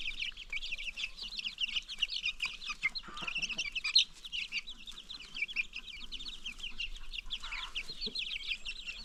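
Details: Many new baby chicks among free-range farm chickens peep nonstop, high thin notes crowding together in a busy chorus, with faint lower murmurs underneath.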